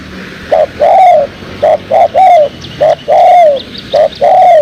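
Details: Spotted dove, tekukur, calling as a lure for trapping birds: loud low cooing phrases, short hoots followed by longer falling coos, repeated about once a second.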